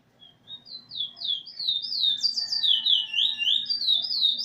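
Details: Eurasian bullfinch singing with its tutor bird while learning, song almost complete, recorded 13 August 2020; a sequence of pure whistled notes rising and falling, then a run of quick high slurred whistles.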